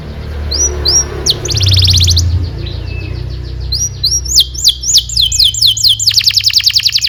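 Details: Training song of a vigorous canary for young birds to copy: short upslurred whistles and a quick roll over faint low background noise, then a run of repeated sweeping notes speeding into a buzzy trill.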